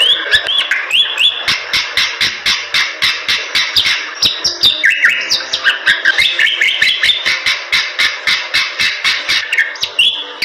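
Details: Bali myna singing energetically: a dense run of whistled notes and quick rising and falling sweeps, mixed with rapid sharp clicks repeated several times per second throughout.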